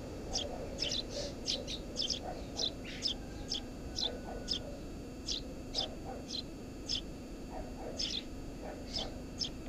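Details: Eurasian tree sparrow nesting under a house roof, giving short, sharp chirps repeated about twice a second in an uneven series, with a steady low hum underneath.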